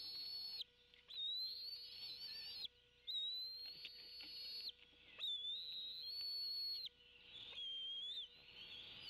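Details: Two Bald eagle eaglets at Decorah, 25 May 2016, calling around breakfast as a parent brings fish; long, high, thin whistles that waver slightly, repeated in bouts of about one to two seconds with short gaps, steady background hum.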